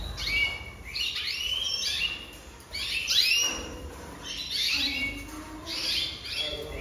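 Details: Jaspe canary singing separate phrases of high, falling slurred whistles and chirps, each burst about a second long, with short quiet gaps between.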